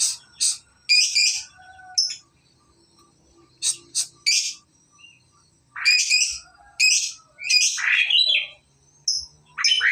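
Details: Young lovebird learning to trill longer; separated bursts of sharp high chirps and harsh squeaks with short silent gaps.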